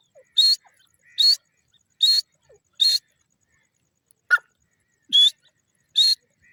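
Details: Grey francolin, or Sindhi teetar, repeating loud, grating notes with a clear whistled tone roughly every 0.8 seconds, broken once by a short sharp higher chirp from another source.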